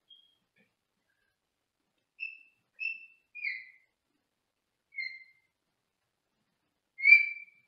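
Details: Senegal parrot kept as a pet, sitting in a small cage in another room, gives a series of five short high whistled notes spaced about a second apart, ending with a louder, longer whistle.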